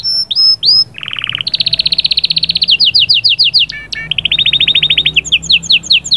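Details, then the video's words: Canary song meant to stimulate the female: loud, clear phrases of whistled notes leading into fast, evenly repeated trills and rolling chips, switching pitch between tours. "صهصهات وبتبتات طائر كناري غول و تغريد🔥🔥 يجهزلك الانثي فورا"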